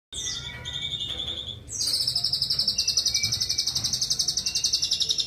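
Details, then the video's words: Asian pied starling (jalak suren) imitating other bird species: a few high whistled notes, then a fast, even, high-pitched pulsed trill of about eight notes per second running on steadily. "jalak suren burung cerdas meniru suara jenis burung lain"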